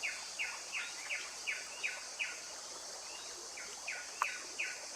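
Blyth's paradise-flycatcher giving short, sharp, down-slurred notes about three times a second, with one brief pause, over a steady high insect hiss.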